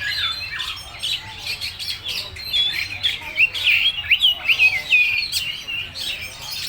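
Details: Oriental magpie-robin (kacer) in a full-material song, a varied stream of quick chirps, twisting whistles and short chattering notes, loosely repeated over steady background hiss.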